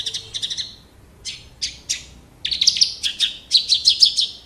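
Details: Horsfield's bush lark (Javan bush lark), a kept bird in full song: quick buzzy trills, three spaced rasping notes, then a dense run of fast, sharp, repeated chirps at high pitch.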